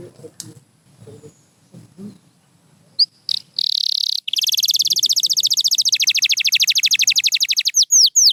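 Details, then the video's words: Faint rustling at first, then a white canary bursts into a few short notes and a long, very rapid, even trill lasting about four seconds, ending with two swooping whistles. "Beautiful Chirping by a Pure White Canary"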